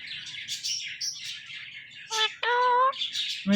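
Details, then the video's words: Indian ringneck parrot calling "Mithu": harsh, noisy squawks give way to a couple of short, voice-like harmonic syllables near the end. "Indian Ringneck Parrot Calling Mithu Mithu"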